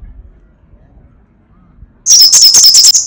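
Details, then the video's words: Sunbird (kolibri sogok ontong or srigati) giving crecetan chatter: after two seconds of faint low background, a sudden loud burst of rapid, high, sharp chattering notes runs to the end. "Masteran Suara crecetan burung kolibri sogok ontong /srigati gacor"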